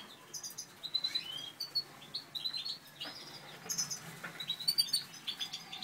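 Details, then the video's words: A breeding pair of Satinet canaries, Natur/Satinet male and Satinet female, heard in a busy run of high chirps, short rising whistles and twittering phrases that come one after another without pause. "Breeding Satinet"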